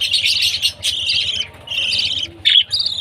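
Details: Young budgerigar chirping at food time: dense, scratchy chirps in quick bursts, a brief pause, then more raspy notes and a sharp squeak, with low hum beneath.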